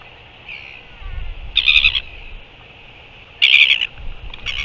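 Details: Northern royal albatross, recorded 15 January 2023, giving harsh, buzzy, high-pitched bursts, each about half a second long, a couple of seconds apart, over a faint low rumble of wind.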